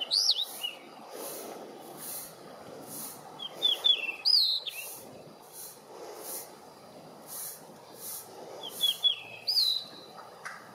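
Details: Blue rock thrush singing: short, clear whistled phrases that rise and fall, delivered in separate bursts near the start, around three and a half to four and a half seconds, and again near nine seconds, over a steady low rumbling background with recurring high hiss.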